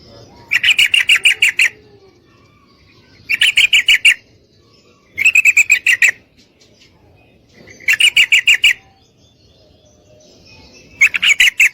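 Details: Female Sooty-headed Bulbul calling a male to mate, repeating a harsh, rapid chatter of about seven notes in five bursts, roughly every two and a half seconds, with short silences between.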